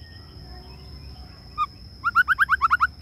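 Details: Male white-rumped shama lure bird singing: after a quiet start, one short note, then a quick run of about eight evenly spaced looping whistles, with a faint steady high whine and low background rumble.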